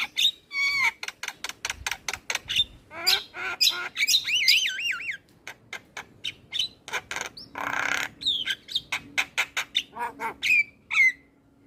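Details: Tireless Javan myna song: a fast train of sharp clicks about twice a second, interrupted by looping warbled whistles and a harsh hissing burst.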